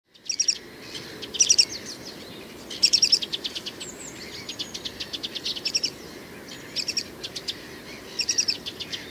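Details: Male great grey shrike singing: short, high chirping bursts of clipped notes in uneven phrases, several clusters spread over nine seconds with quieter twittering between them against a soft background hiss.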